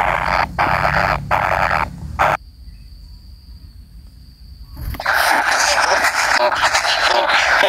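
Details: Young kingfisher awaiting its parent: rasping, buzzy calls broken by short pauses, then a few seconds of near silence with a faint high hum, before loud continuous raspy calling resumes.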